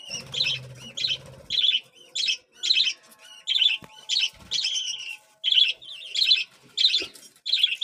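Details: Budgerigar chicks at feeding time give harsh, raspy begging bursts, about ten short rhythmic pulses in eight seconds with brief pauses between them, over a faint low hum at the start.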